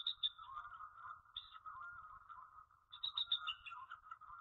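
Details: Female bald eagle at the Jordan Lake nest, calling for her mate at 5:35 pm on 21 January 2013; short bursts of high, pulsed chattering notes separated by pauses, over a steady low hum.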